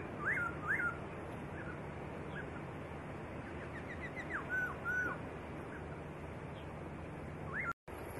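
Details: Training master recording of white-rumped shama song: paired hooked whistles open the phrase, then soft quick chips and clear slurred whistles, with one falling note near the end, all under a continuous noisy hiss.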